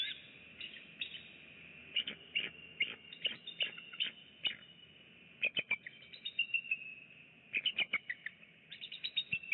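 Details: A live-camera eagle pair at their nest begin their morning on 9 November 2017 with high, thin chirping chatter in quick bursts of piping notes. Pauses separate the bursts, and steady background hiss runs underneath.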